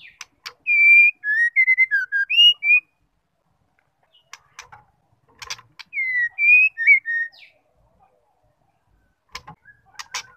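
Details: White-rumped shama, a female calling to rouse a male: two clear whistled phrases of swooping and level notes separated by pauses with sharp clicks.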